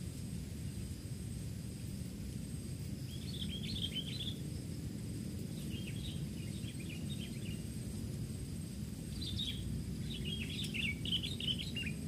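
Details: A wild sooty-headed bulbul, being lured for trapping, gives bursts of bright, chattering notes in three short clusters, set against a steady low rumble of background noise.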